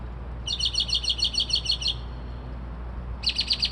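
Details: At 2:30-3:00am a bird mimicking car alarms and sparrows delivers a rapid, even rattle of high, pulsing notes lasting about a second and a half, then after a pause starts a different buzzy repeated phrase; low hum beneath.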